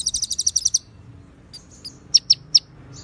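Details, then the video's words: White-rumped shama konin song with ciblek and cililin fill: a quick trill of high chirps, a pause with faint thin notes, then three loud, separate sharp chirps. "MASTERAN MURAI BATU | KONIN ISIAN CILILIN DAN CIBLEK | SUARA JERNIH DENGAN JEDA"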